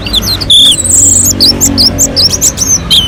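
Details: Melodious, persistent song of an orange-headed thrush from a mountain slope, used to coax other birds into singing: quick, high, slurred whistles and twisting notes following one another closely, with a low background hum.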